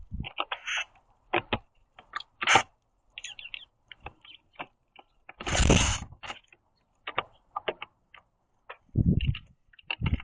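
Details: Northern cardinal at a backyard feeder platform, chasing other birds off the seeds, gives sharp, metallic chips at an irregular pace, mixed with rustling, a loud whoosh and low thumps.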